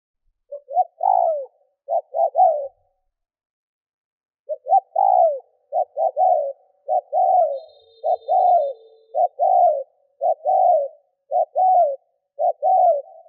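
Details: Decoy spotted dove cooing to provoke wild doves: low, mellow phrases of short clipped notes followed by longer falling coos, about one per second, with a pause near the start and a faint thin high tone midway.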